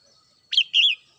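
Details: Red-whiskered bulbul, a caged home bird, singing in the morning: two quick whistled notes, the first sharply rising, the second a warbling phrase, over a quiet background.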